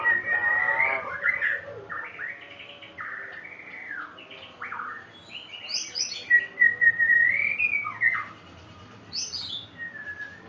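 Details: White-rumped shama singing a rich, varied song of clear whistled phrases, slurred rising and falling notes and short trills, delivered in quick succession with brief pauses between phrases.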